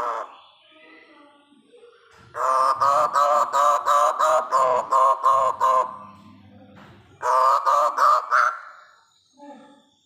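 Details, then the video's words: Hooded butcherbird chick: a burst of about ten rapid, harsh, nasal notes, then a short pause and a second burst of similar honking calls; a faint low hum sits underneath. "Anakan burung jagal papua"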